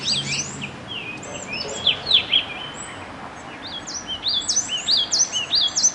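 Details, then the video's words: Bird song made of scattered high, sweeping whistled notes, some rising and some falling. They come in loose bursts, with a quieter stretch in the middle and denser phrases toward the end, over a steady faint hiss. "nkauj noog quaj zoo mloog a bird that sounds good alone"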